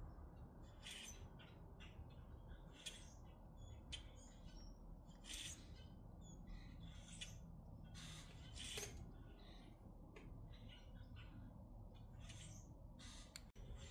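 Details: A flock of grackles in Minnesota calling continuously: a busy mix of scratchy squawks, clicks and short creaky notes, with a constant low rumble beneath.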